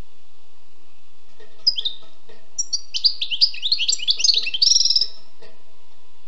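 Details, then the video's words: Wild European goldfinch opens with a few soft chirps, then breaks into a quick tinkling twitter that ends in a fast buzzy rattle, over a faint low hum. "Écoutez et appréciez le doux chant du chardonneret sauvage"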